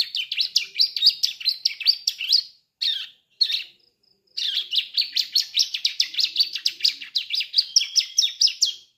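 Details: Young ciblek (bar-winged prinia) starting to sing, its song offered as a lure for adult birds: loud, steady, rapid series of high scratchy chirps, about three per second, broken by one short pause, in a quiet setting.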